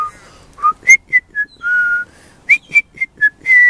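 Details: Young pied butcherbird singing clean whistled notes, some short and rising, some held, in a quick uneven sequence ending on a long sustained whistle.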